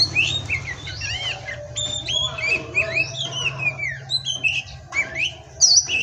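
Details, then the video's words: Oriental magpie-robin (kacer) singing in the pastol style: varied whistled phrases, rising and falling slurs and sharp upslurred notes, with a steady low hum underneath throughout. "Masteran Pastol Kacer"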